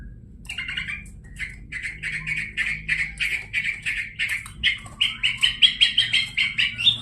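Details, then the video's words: Javan white-eye singing energetically: a fast, continuous run of high, bright chirps and twittered notes, many per second, growing louder toward the end, with faint low background rumble. "PENTET GACOR!!"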